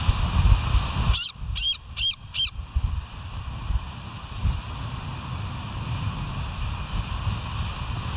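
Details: Wild bald eagle at the West End nest on 29 September 2023 around 7:05 in the morning, caught by a live nest camera: four quick, high, squeaky whistled notes in a rapid series, then a low rumble of wind and background noise.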